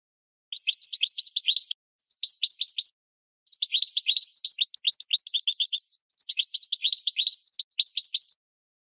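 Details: Goldfinch singing, intended for training cage birds: bursts of quick, high, jangling twitters about a second or two long, separated by short silences.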